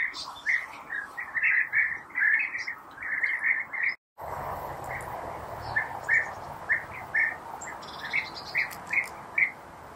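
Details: Rolling, throaty call notes from European bee-eaters during feeding of young in breeding burrows, given in quick clustered bursts, then spaced more evenly after a brief silent break; faint higher chirps in the background.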